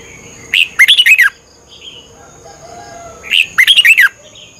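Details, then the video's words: Red-whiskered bulbul morning training song from Thailand, played to cage birds for 30 minutes to aid learning. Two bright phrases of six rapid, slurred, bubbling notes come about three seconds apart, with soft faint notes between them. "นกกรงหัวจุก ฝึกหงอนเป็นเวลา 30 นาทีทุกเช้าเพื่อช่วยให้นกเรียนรู้ที่จะพูดได้อย่างรว"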